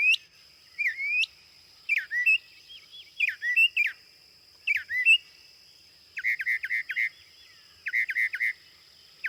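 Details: Northern Mockingbird singing a varied, prolonged succession of phrases: rising whistles, slurred notes and chattering sections, then clipped buzzy triplets repeated in two groups, each phrase given several times before the bird switches.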